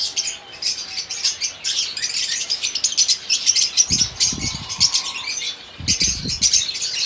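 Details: A male crested yellowbeak cinnamon fawn pied zebra finch gives a rapid stream of high, thin chirps and nasal beeps; soft low thumps of wingbeats or movement come in twice.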